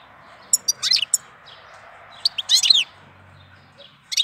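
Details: Goldfinch singing in April, clipped high chirps leading into a dense twittering flourish, then another phrase starting at the end, over low background hiss.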